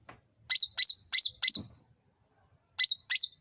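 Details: Sooty-headed bulbul calling as a lure to provoke birds into answering: a quick run of four sharp, high chirps with a bright downward flick, a brief pause, then two more alike.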